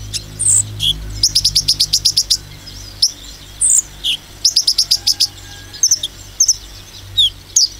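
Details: Sunbird firing off its 'nembak' song to agitate other sunbirds: isolated slurred whistles, then two runs of about ten rapid evenly spaced chips, followed by single sharp high notes, with a steady low hum.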